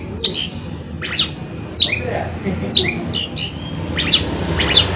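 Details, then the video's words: Oriental magpie-robin (kacer) song used to rouse other birds into song: spaced, sharp high whistled notes roughly every half second to second, over a noisy low background. "CUKUP DENGAN SUARA KACER INI, KACER LAIN JADI GACOR"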